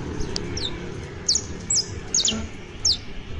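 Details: Saffron finch, locally called canario basto or criollo, singing a professional song: sparse, thin, high downward-slurred chirps spaced about half a second apart over a low background hum.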